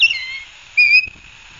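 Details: Ospreys at a live-cam nest in Barnegat Light, New Jersey, 9 September 2022, at 10:12: two loud, clear whistled calls, the first high and sliding downward, the second a steady ringing note, followed by a faint low thump.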